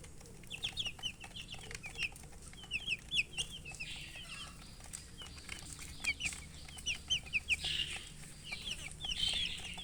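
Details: Several chicks chirping together, short high peeps sliding downward in quick bursts, some louder calls standing out near the end, over a low steady hum.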